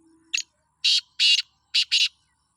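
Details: Black francolin, Sindhi bird, calls loudly: a short creaky note, then two broad harsh bursts and a tight pair of rasps, preceded by a faint low hum.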